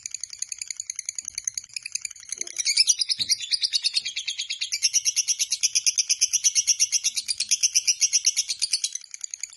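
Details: Long ngekek chatter from a lovebird: after a softer start it becomes a loud, piercing, buzzy run of fast even pulses at about three per second, held for several seconds before fading at the end.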